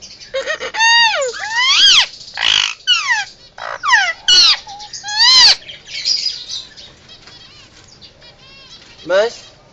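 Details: Indian ringneck parakeet kept as a pet, calling in alarm: repeated harsh arcing screeches about once a second, interspersed with rasping noisy bursts, fading to quieter chatter and a final rising squawk.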